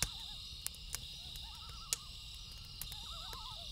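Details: Loons calling at night, beside a crackling campfire: several quavering, wavering tremolo phrases overlap in short bursts, over a steady high cricket chorus with sharp pops and snaps from the fire.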